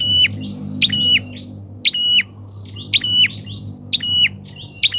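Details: Loud, energetic lure calls of a bar-winged prinia, used to draw in wild prinias: a clipped high note dropping into a buzzy whistled tail, given roughly every second, five or six times, above a steady low background hum.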